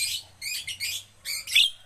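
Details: Javan myna under training so it sings readily, delivering a series of harsh, scratchy, broadband chatters: three quick bursts, a gap, then two more, the last ending in a sharp squealing note.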